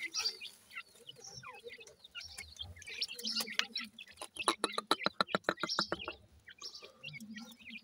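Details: Grey francolin chicks about one week old, likely captive, giving short high chirps scattered across the clip, with a burst of rapid regular tapping or clicking near the middle and a low hum underneath.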